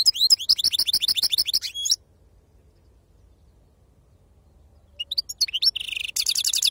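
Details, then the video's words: European goldfinch giving the authentic wild-type 'khalwi serfati' song: a quick string of repeated bright chirps, a silent gap, then mixed twitters and a fast rolling trill. "أفضل تغريد بندوق حسون خلوي أصيل"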